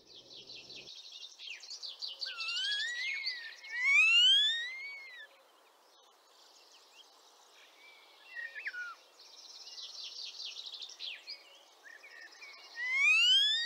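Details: A male-unspecified common starling carrying a Lithuanian ring, returning to Liepāja, Latvia, for the third spring (arrived 25 March 2023), sings loud upslurred whistles, buzzy stacked notes and rattling bursts between quieter chatter.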